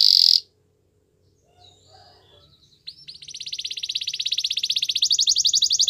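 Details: Canary song for training a Belgian canary: a short sharp note, near silence with faint warbles, then a fast, pulsing high trill that swells steadily in loudness.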